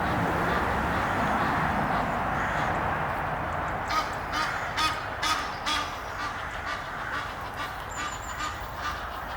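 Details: Egyptian geese, a courting pair perched high in a tree near Henley upon Thames, England. After a few seconds of steady background rush, loud hoarse honks start and repeat in a quick, fairly even series.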